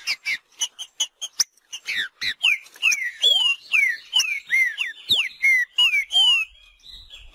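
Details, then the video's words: Green-winged saltator (trinca-ferro) singing in nature in the marcheando style: a fast run of loud, clear whistled notes, many slurring sharply down or up, nearly three per second, opening with short sharp clicks. "TRINCA FERRO MACHEANDO NA NATUREZA"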